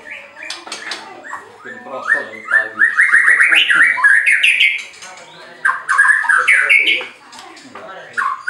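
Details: White-rumped shama from a bird farm in Anyer, Banten, Indonesia, song meant to make rivals react: loud, varied chattering and rapid rising trills, repeated in bursts with brief pauses.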